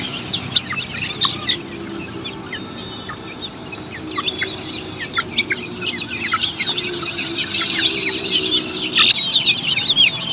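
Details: Australorp chicks on a poultry farm giving scattered high peeps that build into a busier chorus toward the end, over a low background rumble.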